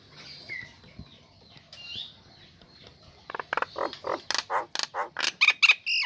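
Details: Female Nias hill myna kept caged, singing right after its cage cover is lifted, meant to coax lazy birds into song: quiet hiss at first, then a steady series of loud harsh notes ending in a whistle.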